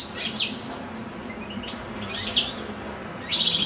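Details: Caged European goldfinch, kept with another goldfinch and two goldfinch-canary hybrids, one goldfinch giving a long singing recital: bright high twittering bursts with rapid downslurred notes, a quiet gap, then a dense tinkling phrase at the end.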